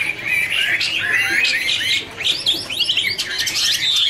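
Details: Dancing hwamei giving a warble song in duet, a busy mix of slurred whistles and sharp rising notes, somewhat blurred together.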